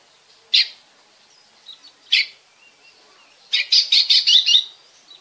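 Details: Oriental magpie-robin from Bekasi, a song used to stimulate other birds to sing: two separate harsh rasping notes, then a rapid series of five or six loud, scratchy chattering notes near the end.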